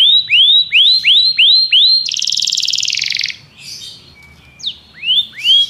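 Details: Belgian canary song opening with five clear upward-curving whistled notes about half a second apart, then a loud buzzy trill, a quiet pause and more curved whistles.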